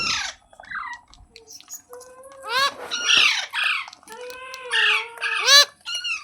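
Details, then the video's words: Shrill, grating squawks from a ringneck parrot mixed with thin sustained whistled tones and short chattering notes, the calls coming in irregular clusters. "Ringneck Parrot Sounds Videos"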